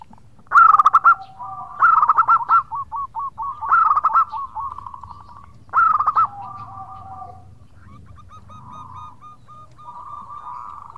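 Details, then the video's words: Local zebra dove singing in the khong style, calling to its companions: bursts of rapid, hollow staccato coos, each phrase a quick run of bouncing notes repeated every couple of seconds, with a lower steady tone beneath and a soft background hum. "Perkutut Lokal Gacor Suara Khong crewet panggil teman"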